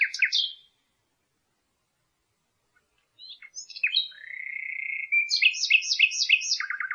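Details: Common nightingale singing: a short burst of rich chirped notes, a pause, then varied sharp notes, a sustained flat whistle and a fast run of repeated clipped notes.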